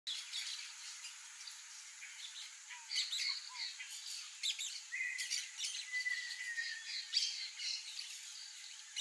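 Peach-fronted parakeets give harsh, screechy squawks in irregular bursts, with a flat whistled note in the middle and a steady hiss of background noise.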